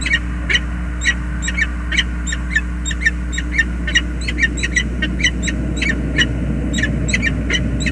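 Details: A peregrine falcon pair's tender reunion at the James River Bridge nest, USA, 20 February 2022: a long run of scratchy, evenly spaced grating notes with occasional stronger bursts, steady low droning hum throughout.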